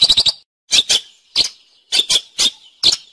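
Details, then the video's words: Long-tailed shrike (cendet) singing gacor, recorded as a training master for songbirds: a quick triple chip, then pairs and singles of sharp, high, squeaky notes with short pauses between. "Suara Burung Cendet | Gacor"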